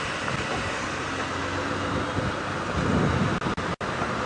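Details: Loud rumbling engine of a vehicle on an early-morning safari drive, with a few brief dropouts near the end; no animal call is heard.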